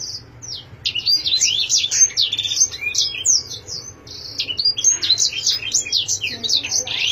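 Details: Canary song opening with a few thin, high notes, then swelling into rapid, varied twittering of quick down-slurred whistles and brief trills, lively and unbroken, over a soft low background hum.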